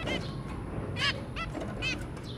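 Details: Zebra finch family of two adults and three babies, recorded 23 January 2022: four short nasal honking beeps with stacked harmonics, spaced unevenly across two and a half seconds over a steady low rumble.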